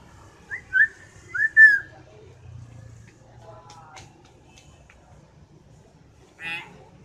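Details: Common hill myna giving loud, sharp whistles: two short clear notes, then two longer slurred whistles sliding up and down, followed after a pause by a brief harsh rasping burst. The background is quiet apart from a low hum.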